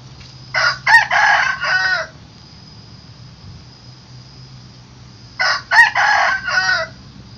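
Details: Rooster crowing in the morning: two full cock-a-doodle-doo crows, each a short note then a longer broken phrase, about five seconds apart, over a low background hum.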